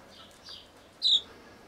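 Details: Newborn golden pheasant chicks in a brooder, sharing space with a two-month-old Mille Fleur chick and a red golden pheasant chick; a soft high peep followed by a louder, sharp, high-pitched chirp over a quiet background.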